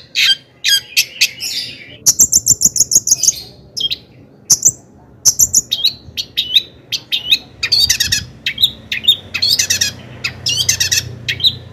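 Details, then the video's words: A long-tailed shrike sings a lively, full song with mimicked phrases, used to provoke other shrikes into singing. Bursts of sharp chirps and rapid trilled rattles alternate with brief pauses between phrases. "Kicauan cendet gacor FULL EMOSI"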